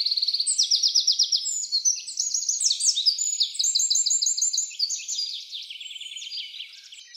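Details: A wren sings a practice song: a loud, high, unbroken stream of rapid buzzy trills and sharp chips, changing phrase every second or so, with no other sounds.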